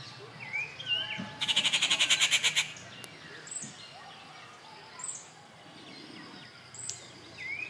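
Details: At Kattupadi on 19 June 2021 a rufous treepie utters a short grating rattle of rapid buzzy pulses, surrounded by high chirps and slurred whistles from other birds.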